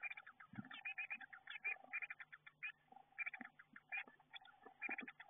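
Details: Eurasian blue tit chicks in a garden nestbox just before fledging, heard through the camera: busy, overlapping rapid chirps nearly nonstop, with occasional soft thumps of movement and a faint steady hum.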